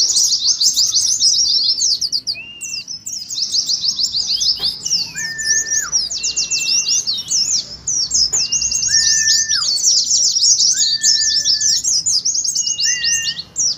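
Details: Ngeriwik-style Oriental white-eye twittering, meant to set white-eyes singing and to simulate a hanging-cage song contest: long bursts of high, rapid chirps, broken by several lower flat whistled notes that each hold about a second.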